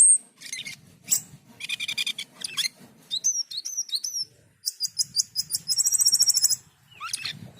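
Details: Asian pied starling song mixing high whistles, harsh buzzy bursts, a set of quick downward-slurred notes and a long rapid rattling trill, then a rising squeal.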